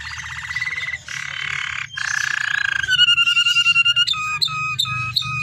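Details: Canary with a rich, ornate song, used as a lure to make captive canaries sing: buzzy rolls and rattling trills, then fast chopped whistled notes and sharp chips, over a low steady hum.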